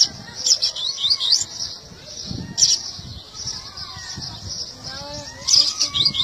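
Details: Seedeater song of bright, high clipped notes in bursts at the start and end, among sliding whistles from several other birds and low background murmur.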